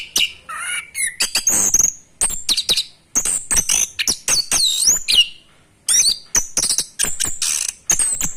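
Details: Orange-headed thrush practising the ngerol rolling song style, still learning: rapid, varied high whistles and chirps, some notes swooping up and down in wavy slurs, others short sharp ticks, run together in quick bursts.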